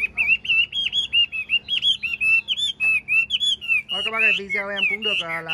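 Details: A tame, caged, large-bodied, yellow-billed male hwamei pours out a loud, varied run of clear whistled phrases, rising and falling quickly, still singing well after six minutes; a man's voice breaks in near the end.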